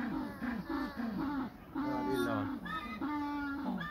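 An African penguin brays like a donkey: a run of short, rising hoarse notes, then two long, harsh, drawn-out honks.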